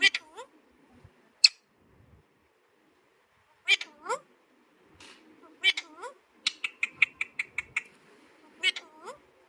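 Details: Pet Alexandrine parakeet saying "Mithu": short, separated bursts of harmonic, speech-like syllables, some sliding in pitch, with a quick run of evenly spaced ticking notes near the end and quiet gaps between utterances.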